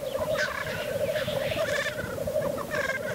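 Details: Black grouse at the lek giving their lekking display: a steady, low bubbling roo-koo runs without a break, with a few faint, short hissing bursts laid over it.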